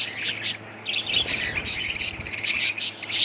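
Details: Chattering budgerigar flock giving dense, overlapping chirps and sharp high notes, repeated in rapid bursts, with a low hum in the background.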